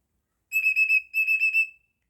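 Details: Pet cockatiel giving a bright, high-pitched whistled phrase in two parts, each made of three or four quick wavering pulses on one steady pitch, the second ending in a thin trailing note, with a quiet background.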